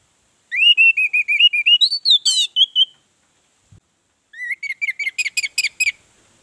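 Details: Orange-headed thrush lure song to draw other birds into singing: a long run of rapid, evenly pitched whistled notes with a harsh buzzy burst in the middle, a pause, then another quick series of repeated whistles.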